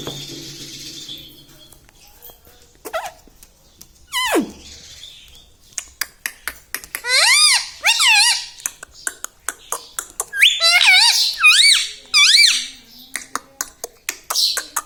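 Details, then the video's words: Pet ringneck parrot indoors, trained to speak words such as mummy, mithu and radhe radhe; a falling whistle, then clusters of wavering, harmonic speech-like syllables with sharp clicks between, faint insect hiss at the start. "me toto me tota parrot singing||मिट्ठू मिट्टू|| मम्मी"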